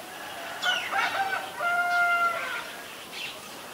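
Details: Common myna in Ubon Ratchathani, Thailand, on February 24, 2022, filmed with a Nikon P1000: a loud burst of harsh, harmonic notes, then clear level whistled tones that drop in pitch near the end, with faint background hiss.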